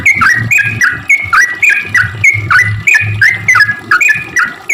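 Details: Sooty-headed bulbul singing eagerly, a lure to draw song from silent bulbuls: dense repeated couplets of swooping notes, about three per second, with low muffled thumps under the song.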